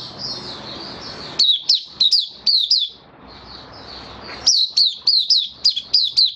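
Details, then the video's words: Caged White-eye singing in a bird keeper's setting: rapid high chirpy notes in bursts, each a quick rising-falling twitter, repeated several times per second, with a softer continuous high warble between bursts. "Mata Puteh Kitaro buka sing"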